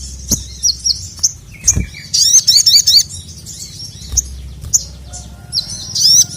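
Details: Crimson sunbird, a lively caged bird calling to a male, used as training audio: scattered high, thin chirps and short twittering bursts, with a denser chattering run in the middle and a sharp rising note near the end.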